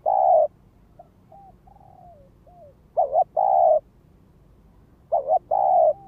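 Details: A spotted dove used as a ground lure calls in the gáy gọi, thúc and kích bổi styles: loud double coos and long level coos, with quieter, more distant coos heard in the pauses between phrases.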